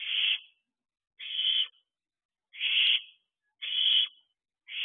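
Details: Hungry owlets in an owl box begging for food near midnight in late June; harsh, breathy screeches about half a second long, repeated roughly every 1.2 seconds with silence between.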